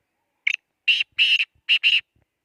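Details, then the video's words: Black francolin calling near Khushab: a phrase of harsh, buzzy, grating notes, one short note, then two longer ones, a pause, then two more in quick succession, loud and clean over silence. "kala teeter ki awaz"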